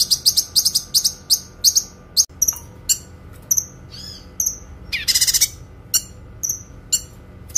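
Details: Kinoi bird, recorded to tutor other songbirds, described as having a clear voice and long phrases: quick high chip notes in rapid clusters, then scattered whistles and a brief harsh buzzy burst, before sparse ringing notes resume.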